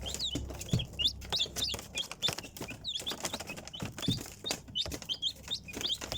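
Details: Chickens, chicks peeping: many short high descending chirps overlapping, repeated rapidly throughout, with clicks and rustling underneath.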